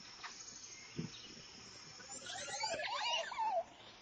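A Montezuma Oropendola gives a burst of bubbling, liquid gurgles ending in a sliding, watery note, over a steady high insect hum.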